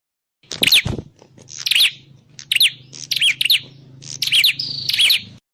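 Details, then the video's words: Prinia call used as a trapping lure: bursts of sharp, high chirps with quick up-and-down sweeps, about six groups over five seconds, over a faint low hum. "Suwara Burung Prenjak_klawu Buwat_Mikat"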